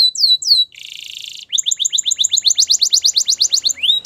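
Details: A Spanish Timbrado canary gives a falling slurred pair of notes, a dense buzzy rattle, then a quick metallic double-pitched trill of repeated strokes ending in a rising note.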